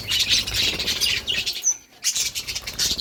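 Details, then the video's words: Budgerigars at play, June 17, 2023, giving dense scratchy high chatter and chirps, a short thin whistle, then a brief near-silent gap before the chattering resumes. "Budgies playing and chirping"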